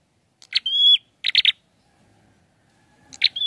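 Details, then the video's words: Single high level whistle from a prinia, opened by a sharp click, then a rapid burst of three clicks. A lone click and the start of another whistle end the sequence. "SUARANYA PLONG ABISS..GACORR || PRENJAK KEPALA MERAH||PRENJAK KLAWU"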